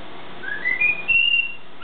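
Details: Pet bird indoors giving its morning song: clear whistled notes stepping upward in pitch, each longer and higher than the last, ending in a brief bright chirp, with low room hum underneath.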